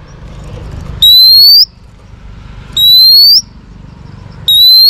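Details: Female Oriental magpie-robin singing to excite males, for training: three loud, pure, rising whistles roughly every two seconds, separated by near-quiet gaps with faint low rumble.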